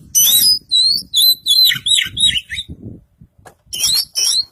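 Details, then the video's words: East Javan Kacer Poci, a white-breasted Oriental magpie-robin, caged and trained in full isian style. A high shrill note leads into looping, slurred whistled phrases, then a pause, then two sharp rising squeals. "Burung Kacer Poci Jawa Timur Full Isian"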